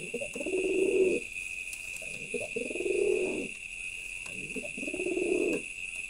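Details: Three long, deep, purring coos from a male pigeon, each about a second long and rising slightly before trailing off, spaced roughly two seconds apart over a constant high-pitched hum.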